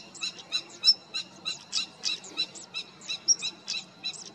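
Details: European stonechat in the Cértima river valley, Águeda municipality, on 28 June 2022: irregular hard clicks interspersed with brief, high, curling whistles over about four seconds. Low background murmur.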